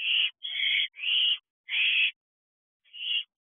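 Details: Young owl and adult allopreening in a nest box at night in July 2023: several long, raspy hissing screeches close together, then a gap and one fainter screech.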